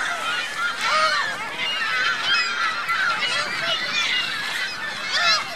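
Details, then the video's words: Geese and goslings at Virginia Lake, Reno: thick overlapping honking and many high, curved peeping notes, steady and unbroken from start to finish. "Geese Goslings Reno Virginia Lake"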